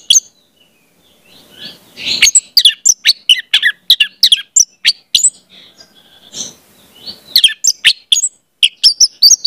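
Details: Orange-headed thrush singing, played to coach young speckled birds into song: a dense, fast run of varied high chirps, whistles and squeaky notes with a brief pause midway.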